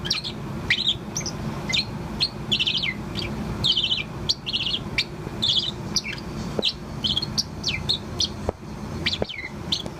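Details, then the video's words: Four-month-old pet Bourke's parrot keeps chirping: dense runs of high, bright warbling chirps and slurred notes, fast and irregular throughout, over a low continuous hum and a few faint clicks. "Chirp of Poh, the Bourke's Parrot. アキクサインコのポーのさえずり"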